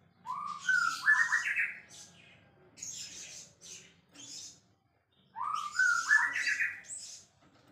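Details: White-rumped shama repeating a rising whistled phrase with harsh, noisy notes mixed in, heard twice with a short pause between.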